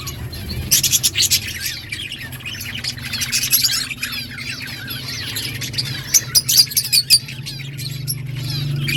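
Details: Budgerigars in an outdoor breeding colony, many birds chirping and warbling together in dense overlapping high chatter, with sharper bursts of calls near one second and again around six to seven seconds over a steady low hum.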